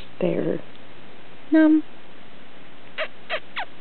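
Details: A female pet monk (quaker) parakeet playing under bed covers gives a harsh, buzzy squawk, then three short raspy chirps about a third of a second apart; her owner talks softly at the start.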